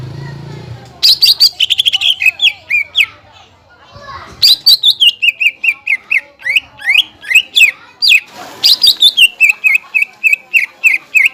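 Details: Greater green leafbird singing, played as a lure so other leafbirds start singing: three bursts of rapid sharp clicks sliding into cascades of falling whistled notes repeated about four times a second, with quiet gaps between.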